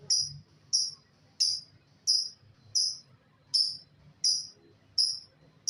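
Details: Lovebird repeating one shrill, clipped chirp about every 0.7 seconds, each note sharp and high over a quiet low background hum.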